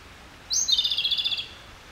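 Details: Japanese robin subsong phrase: a single piercing high note sliding down into a quick, evenly pulsed trill of about a dozen beats, clear against a quiet background.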